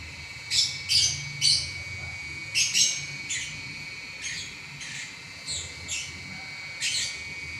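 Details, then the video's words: A champion lovebird chatters nonstop in a long eleven-minute singing bout: quick, scratchy, high notes come in rapid pairs and triplets, then slightly softer chirps, with a constant faint electrical-like tone. "Burung LoveBird Juara Nya Ngacor 11 Menit Enggak Berhenti"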